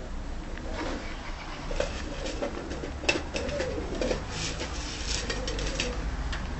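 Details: Tumbler pigeons, described as timid-looking but easy to control, cooing in a loft. Soft, low, wavering coos run almost continuously, broken by brief clicks and rustles of moving birds over a dull background rumble.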